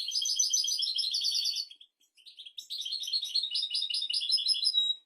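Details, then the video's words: European goldfinch singing a royal-style song used for training goldfinches and canaries: fast, bright twittering trills and chattering notes, a brief pause near two seconds, then a longer run of rapid liquid phrases ending in a buzzy note. "تغريد طائر الحسون ملكي 👑♥️ لتعليم طيور الحسون والكناري بدون أخطاء"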